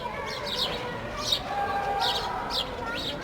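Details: Sparrows eating a loaf of bread: short, bright chirps repeated every half second or so over a loud, steady background of rumble and chatter.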